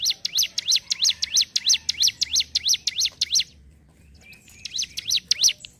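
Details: Ciblek gunung (hill prinia) singing steadily in ngentrok style: rapid series of bright, high V-shaped chirps about three per second, a pause near the middle, then the chirping resumes. Faint low background hum.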